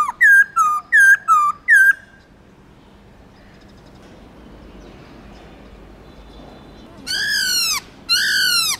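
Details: Black-throated laughingthrush singing in a many-voiced style: five loud, clear whistled notes that rise then drop, repeated quickly, then a quiet gap and two louder rich descending slurred notes.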